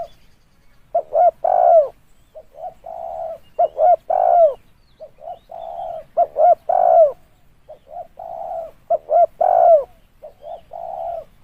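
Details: Lure call of a spotted dove: a steady series of mellow, hoarse phrases. Each has quick stuttering coos and ends in a drawn-out coo that dips at the close. Four phrases are heard.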